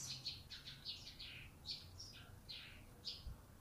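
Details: Faint run of brief, high squeaky chirps from a newly obtained captive blue-crowned hanging parrot that has begun vocalising, notes coming in small irregular clusters over low rumbling noise.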